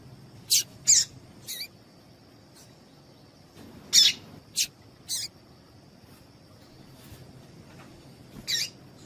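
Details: Short, sharp chips come in loose clusters, roughly twenty per minute, from a female Double-collared seedeater. The call is meant to excite a male into song. A faint steady high tone runs beneath.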